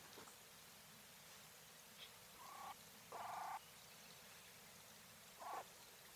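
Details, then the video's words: Hen Coturnix quail of the English White type giving three short raspy, nasal calls, the middle one longest and loudest, separated by quiet stretches with faint clicks. "Quail call sounds | Female / Hen | Coturnix"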